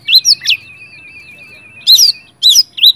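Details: Oriental magpie-robin singing intensely, used as a lure recording to provoke other magpie-robins into song: sharp whistled notes, then a long steady thin trilled tone, then more loud clear rising and falling whistles.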